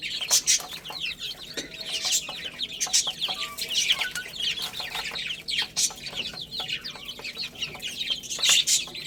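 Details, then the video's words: Baby chickens playing and eating, producing a steady stream of high, slurred peeps from a group, interrupted by sharp pecking clicks and small bursts of scratching. "Cute Little Chicks Chirping Sounds| Beautiful Chicks Playing and Eating"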